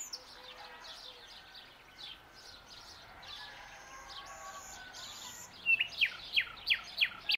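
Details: Dawn song of a young common nightingale: soft varied twittering and background birds, then a loud series of about six evenly spaced, emphatic repeated notes closing the phrase.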